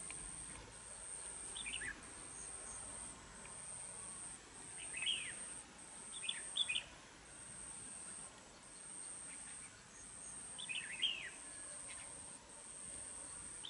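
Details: Red-whiskered bulbul, a caged decoy and fighting bird from Đồng Nai, Vietnam, noted for frequent, harsh-voiced singing. Brief bright chirpy phrases come roughly every two to three seconds over a constant thin electronic-sounding whine.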